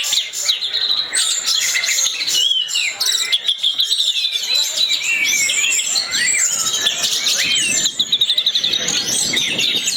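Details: Anis merah, the orange-headed thrush, singing a lure song meant to prompt other birds to sing: rapid, rich tumbling phrases of whistles, slurs and chips layered densely, loud and unbroken throughout.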